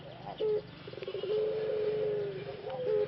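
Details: Male Pelung dove in rehabilitation, isolated and given medicine and vitamins after his voice was lost in the breeding cage: a short low note followed by one long steady hoarse coo, faint background hum.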